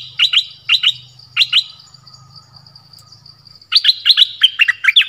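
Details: Dok taeng decoy bird, forest, 13 January 2021, calling a mate: paired squeaky chirps given in threes, then a rapid series of bright, slurred notes, over a steady high hum and soft low rumble.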